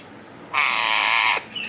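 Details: Rose-ringed parakeet, two birds kept together, giving one loud, harsh, grating squawk held for nearly a second, followed by a brief softer note.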